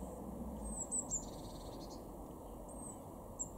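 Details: Eurasian blue tit in a garden at Weener, East Frisia, northwest Germany, February 2023, giving several thin, high, slurred notes early on and two more later, against constant low-pitched background noise.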